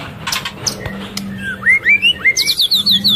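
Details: White-rumped shama, a female in breeding condition calling to stimulate males while feeding its chick: clear whistled notes rising in pitch, then a fast run of high, sharply falling notes repeated about every fifth of a second, over a low steady hum.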